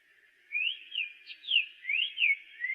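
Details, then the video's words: Black-faced tanager giving a quick series of six or so clear, rising-then-falling whistles, evenly paced, with a soft steady hiss behind. "canto do sanhaço de coleira"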